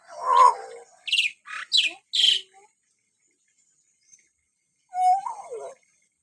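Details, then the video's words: Common hill myna calling indoors: a loud harsh squawk, a quick series of three hissy raspy bursts, then a bending nasal whistled cry after a pause. "kicauang khas burung beo"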